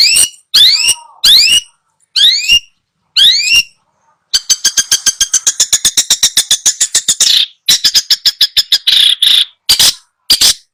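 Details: Long-tailed shrike song used as training material to get a bird that has stopped singing to sing again: sharp rising whistled notes in clusters, then a fast run of rapid dry clicking notes and rasping bursts.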